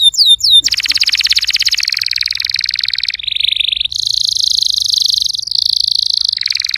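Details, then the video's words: Canary in full song, played to coax a silent canary into singing: a few swooping whistles, then a chain of fast rolling trills jumping between higher and lower pitches without pause. "PUTAR VIDEO INI JIKA KENARI ANDA MACET BUNYI"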